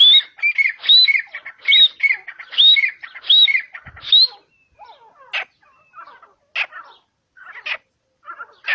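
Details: Grey francolin calling in natural habitat in Pakistan: a quick run of shrill whistled phrases, each rising and then dropping, repeated about twice a second. The run breaks off into a few scattered sharp clicks.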